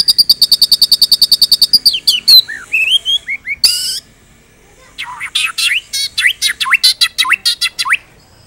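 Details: White-rumped shama song with full repertoire, kept as a master recording for training other birds: rapid trill of about twenty high ticks, then rising whistles, buzzy notes and sharp upslurred phrases after a short pause.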